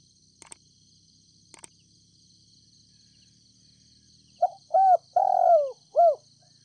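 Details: Decoy spotted dove from Ninh Thuận calling to draw wild doves: two sharp clicks and a low rumble first, then one soft phrase of four hooting coos with a long falling middle note, over a faint high hum.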